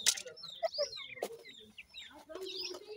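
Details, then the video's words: Grey and painted francolin chicks feeding give thin high whistled peeps, some falling in pitch, between a sharp click and a loud burst at the start. "dakhni teetar baby khurak, bhura teetar chicks feeding"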